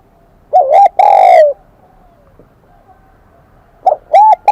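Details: Wild-caught spotted dove singing in the high-pitched Kim Đồng voice style: a short hollow coo followed by a long drawn note, then after a quiet pause the phrase begins again, with clear ringing overtones.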